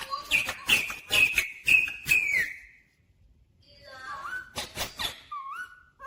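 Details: Talking pet rose-ringed parakeet, said to say mummy and papa; five quick emphatic syllables on a steady whistled tone, a short silence, then softer rising mimicked phrases and squeaks.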